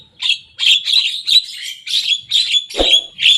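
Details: Energetic young Javan myna reproducing rival birds' songs, delivered as a rapid series of scratchy, chirping notes, about two or three a second, with one sharp low click near the end.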